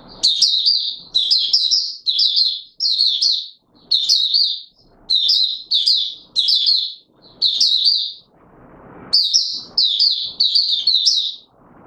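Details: Oriental white-eye (Mata Puteh Raja) in courtship mode, 25 January 2022: a long run of shrill chirping phrases, each under a second, repeated with brief silences; faint rustling between bursts.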